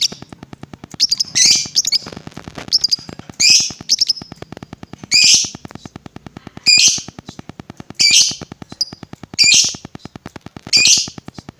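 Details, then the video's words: Lovebird sound used to provoke rival lovebirds: separate harsh, squawky high bursts roughly every second or so, with a soft regular ticking in the background. "LOVEBIRD APAPUN BAKAL EMOSI DENGAR SUARA INI"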